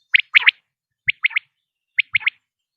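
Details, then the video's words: Common quail giving three crisp triplet calls, each a short note followed by a rapid pair, spaced about a second apart, with nothing else heard. "common quail sound"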